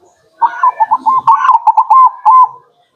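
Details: Local zebra dove (perkutut) song used as a lure to attract wild birds: a quick stuttering burst of clipped notes followed by several longer, slightly rising whistled coos, about two seconds in all.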